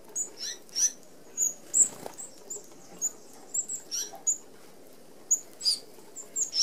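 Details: A feeding flock of Red-browed finches at a mesh-fronted open aviary feeder in Australia gives a steady stream of thin, piercing high seee notes, many short calls overlapping, with light fluttering and pattering sounds.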